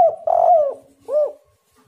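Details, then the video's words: Spotted dove lure call: a single low coo phrase, a short note then a longer warbling coo sliding downward, followed by one brief separate rising-and-falling note. "derkuku super gacor bikin lawan langsung nyaut"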